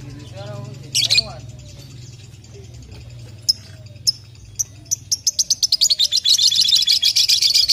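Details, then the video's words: Lovebird aged two and a half months: a few scattered sharp chirps that speed up into a fast, continuous run of high, clipped notes toward the end, over a low steady hum. "Lovebird paud 2,5 bulan fighter abiz!"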